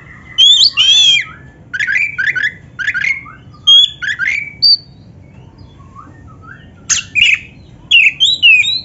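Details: Oriental magpie-robin (black-breasted kacer) singing to prompt caged birds. It gives short, loud bursts about every second: metallic chattering notes mixed with pure whistles and upward slurs, and a brief quieter gap midway.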